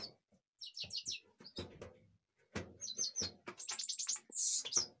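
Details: Goldfinch from Kashmir singing jingling twittered phrases and fast repeated trills at high pitch, ending in a harsh buzzy burst, with dull knocking sounds between phrases.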